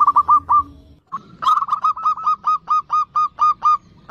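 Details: Zebra dove singing to encourage other doves: a few rapid clipped coos, a brief gap, then a long regular train of short hooked notes repeated evenly, with faint low background noise.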